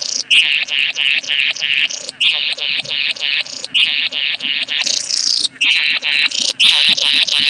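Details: Bowerbird (karawarra) calling during mating, 8 January 2014: a near-continuous run of harsh, rasping, hissy bursts, each under a second, following one after another with barely a pause.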